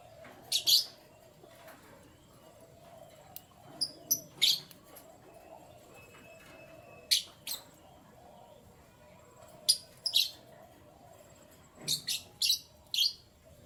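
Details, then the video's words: Canaries in the morning giving short, high chirps spaced out over about fourteen seconds, alone or in pairs and trios, with a quiet room hum between them. "Canary Chirping Sounds"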